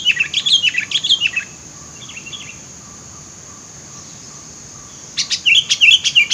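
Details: Sooty-headed bulbul among scrub, a luring call: a run of quick bubbly notes, a softer brief phrase, silence, then a lively burst of rapid chirping notes, with a steady high insect-like whine throughout.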